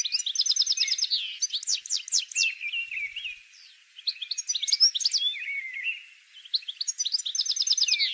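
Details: Goldfinch song used to attract wild goldfinches for trapping: rapid liquid twitters, trills and buzzy slurred notes, with a short pause mid-phrase before another fast trill.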